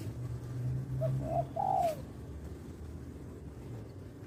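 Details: Three-part coo of a male spotted dove kept as a trapping lure: a brief quiet note, a slightly longer one, then a drawn-out descending note, over a low droning hum, then quiet.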